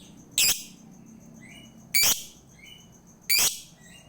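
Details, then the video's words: Lovebird calling, used as a lure to make a lazy lovebird sing: three loud, harsh, very high shrieks about 1.5 seconds apart, with soft thin chirps between them and a steady faint high whine behind. "PANCINGAN UNTUK LOVEBIRD MALAS BUNYI"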